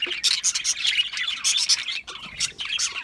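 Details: Short bursts of shrill budgerigar chirps and squeaks in quick succession, separated by tiny gaps.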